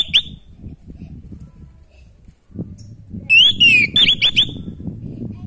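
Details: Orange-headed thrush in full natural song for stimulating breeding drive: one sharp whistled note, a pause over low murmuring background, then a fast burst of about five loud whistles, some falling, some rising.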